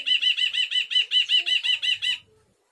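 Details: Ashy bulbul giving a fast, evenly spaced run of about eleven loud ringing notes over two seconds, then falling silent.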